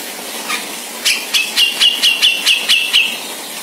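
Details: Sumatran grey-cheeked bulbul singing in the 'ngebeset' style: after a faint opening note, a run of about nine rasping, buzzy high notes at a brisk, even pace, each linked by a sustained thin whistle.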